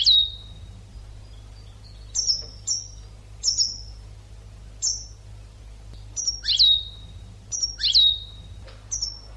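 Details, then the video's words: Educational European goldfinch recording for teaching captive birds: scattered high, thin whistled notes and quick chirps, irregularly spaced, with a louder double burst of twitters near the end. "CD ekpedeutiko.karderina (educational goldfinch)"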